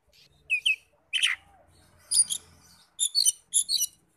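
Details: Oriental magpie-robin song used as a lure to rouse magpie-robins into answering: short paired chattering notes, one harsh downward burst, then quick repeated high twittering phrases.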